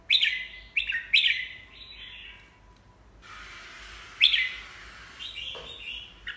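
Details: Red-whiskered bulbul, beak in the middle of peeling, giving clear sharp whistled phrases. Two or three notes start abruptly and fall away, separated by quiet pauses, with a faint hiss in between.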